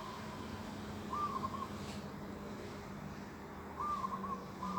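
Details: Bird singing in an organic vegetable garden on a morning of 11 December 2021; short, low, slightly wavering whistled phrases, about half a second each, heard three times across the stretch over a steady low background hum.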